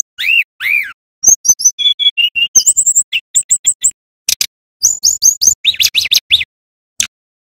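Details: Male brown-chested jungle flycatcher from Bali in full energetic song, used as a lure and training recording: two opening upslurred whistles, then rapid high chips, steady whistled notes and fast clipped trills with short pauses.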